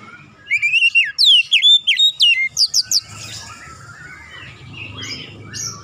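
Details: Oriental magpie-robin song used to trigger other birds into singing: a fast series of about a dozen loud, clear, descending whistled notes over three seconds, then fainter twittering against a low hum.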